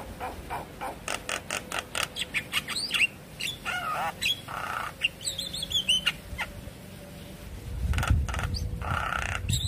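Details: Javan myna song used to coax a silent myna into quick singing with nodding; rapid dry clicks leading into mixed squeaky whistles and rough harsh notes, with a low rumbling noise near the end.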